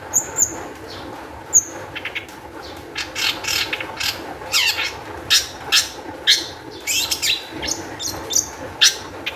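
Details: Long-tailed shrike song for luring other shrikes to sing: a few very high thin whistles, then loud rasping, broadband harsh notes spaced about a second apart over soft hiss.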